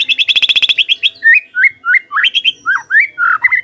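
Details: White-rumped shama lure song for prompting other birds to sing, opening with a rapid burst of repeated sharp notes, followed by varied slurred whistles about three per second.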